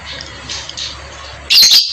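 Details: Javan myna heard while someone has coffee with it: after a quiet stretch of low hum, two loud, harsh, hissing squawks burst out in quick succession near the end.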